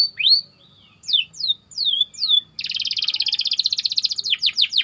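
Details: White canary singing tight rolls as a master song for training: several loud descending whistled sweeps, then a long, rapid, even rolling trill that ends in a few more sweeps.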